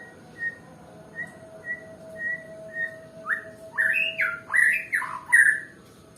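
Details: Nias white-rumped shama, presented as a lazy singer. It starts with soft, short, flat whistles at a steady pace, then breaks into louder, rising, slurred whistled notes in a quick sequence before falling silent.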